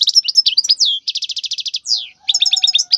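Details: Wild European goldfinch song used to teach young goldfinches: a continuous stream of quick twittering notes, a buzzy rapid trill, a downward-sliding nasal note, then more chirpy twitters over a faint steady low tone.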